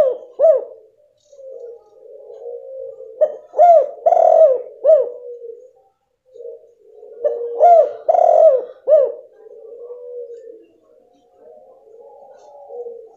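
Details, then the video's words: Female spotted dove call used to stir a silent male into calling: two phrases of three or four low, hooked coos, the middle note longer and rougher, separated by soft, continuous murmuring. "Suara Betina PANCINGAN tekukur jantan MACET bunyi"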